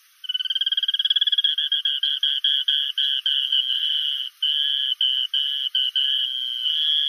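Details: Tiny rail of dense grasslands, far more often heard than seen, ranging patchily from Costa Rica to southern Brazil: a long trill of rapid pulses that starts fast and evenly spaced, then breaks into slower, uneven bursts, with a clean background.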